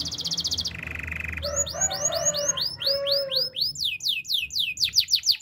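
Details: Belgian canary in training song: a high rapid trill, then a lower buzzy tour, then repeated rising whistled sweeps, with a steady low hum beneath.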